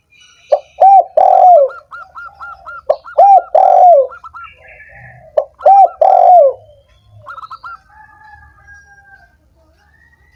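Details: Spotted dove cooing used to prompt lazy, silent doves into singing: three repeated three-part phrases ending in a drawn-out descending coo, with higher chirping trills from another bird between them.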